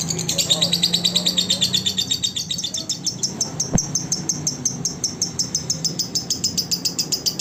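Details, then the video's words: Lovebird song used as a training recording for other lovebirds: rapid, buzzy high chattering trills pulsing several times a second, with a low steady hum and a single sharp click midway. "SUARA BURUNG LOVE BIRD COCOK UNTUK MASTERAN SEMUA BURUNG LOVE BIRD"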